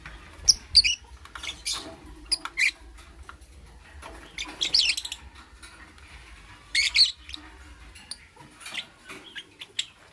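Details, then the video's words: In the morning a lovebird keeps up shrill chirps mixed with harsh rasping squawks, delivered in irregular clusters, louder bursts around the middle and shorter squeaks toward the end. "Lovebird - Beautiful Colors - Chirping Sounds"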